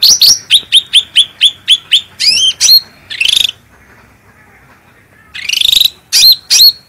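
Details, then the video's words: Cucak rante bulbul singing actively, with a clear, strong voice, recorded as a master for training birds. A fast row of eight short downslurred chirps runs into buzzy rattles, then a pause, then further harsh trills and chirps. "Cucak Rante Gacor Suara Bening Power Tebal"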